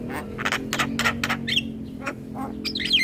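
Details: Javan myna chatter used to attract mynas and starlings: four quick raspy bursts, then scattered squeaks and a twittering whistle, over a droning low hum.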